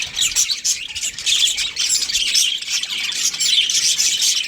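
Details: Budgies of a breeding pair giving steady high-pitched chatter, quick squeaky chirps and scratchy warbled notes tumbling over each other without a break.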